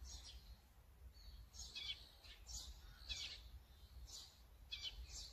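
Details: Repeated rough, buzzy calls from an azure-winged magpie, recorded with a Sony A9 camera, in bursts roughly once a second over a soft low hum.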